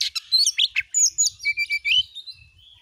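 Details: Oriental magpie-robin singing as a lure for other magpie-robins, in gacor nembak style: quick sharp notes running into bright slurred whistles and squeaky twitters.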